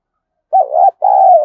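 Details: Spotted dove fighting-provocation coo meant to excite decoy birds: a single loud phrase of two low, husky notes, the first wavering and the second a longer, steadier rolling coo, with a brief gap between them.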